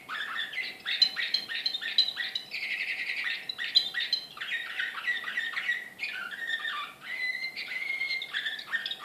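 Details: Srpski slavujar canary, Serbian singing canary, recorded in Belgrade in 2014, delivering an unbroken run of fast rolling trills and chirped phrases, sliding between high and middle notes, with brief pauses between phrases and a faint steady hum behind.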